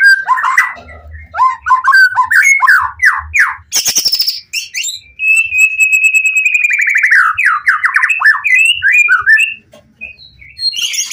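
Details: Highly excited White-rumped shama singing to draw answers from other shamas: fast chattering whistled phrases, a sharp rasping burst, then a long sustained whistle breaking into rapid slurred trills before a short silence.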